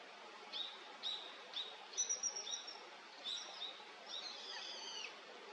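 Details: Male Daurian redstart calling; a run of thin, high whistles, some in quick doubled bursts, with a few fainter drawn-out notes near the end, against constant background hiss.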